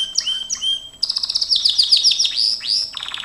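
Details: Gloster canary singing in training: two slurred whistled notes, then a fast, dense run of sharp high chips and descending sweeps delivered almost without pause.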